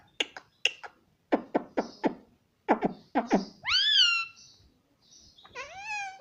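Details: Indoor pet parrot makes a rapid series of clicking, popping sounds, then two upswept voiced squawk-like syllables separated by a faint whistle.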